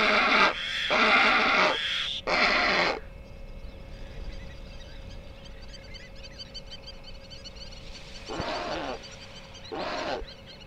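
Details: Flamingos at the Hula Nature Reserve, Israel, a remote lake and marsh wetland, on 5 December 2020 give harsh, nasal, goose-like honks, three loud in quick succession, then two fainter, over soft murmur of distant flock chatter.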